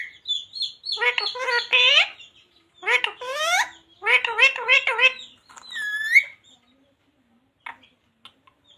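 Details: Pet ringneck parrot speaking the phrases Radhe Radhe and Sita Ram; a string of hoarse, voice-like syllables in quick bursts, then a rising squeaky note and faint clicks in a quiet room.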